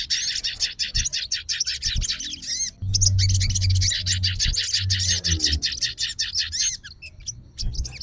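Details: Fighter sooty-headed bulbul, roused and answering another bulbul's voice as a rival call: fast continuous chattering of high notes with slurred phrases, alongside a low steady hum and occasional knocks.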